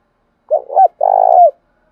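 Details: Spotted dove calling to entice other birds: a quick husky two-note opening, a short pause, then a prolonged purring coo with a slight downward slur at the end, in otherwise quiet surroundings.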